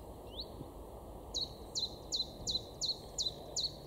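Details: Great tit in a garden in Weener, East Frisia, in the far northwest of Germany, April 2023: a thin rising note, then seven short, sharp, high notes repeated about every 0.4 seconds over a steady low background hum.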